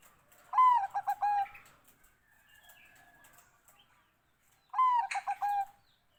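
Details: Song of a Bangkok zebra dove: two repeated phrases, each starting with a falling whistled note, breaking into four or five short bouncing coos, and closing on a sustained tone; faint soft sounds between.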